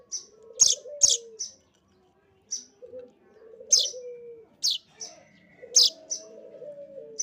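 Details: Young streaked weaver being fed, giving piercing high chirps in short groups. Gaps fall between them, and a low, rolling, quavering phrase sounds in the background.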